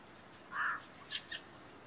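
A fieldfare gives one rough, drawn-out note, then two quick higher-pitched chacks about a fifth of a second apart, against a quiet background.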